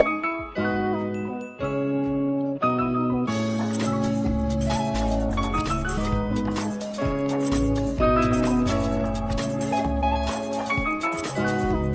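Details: Bright chiming mallet-percussion music plays throughout, with no animal sound heard.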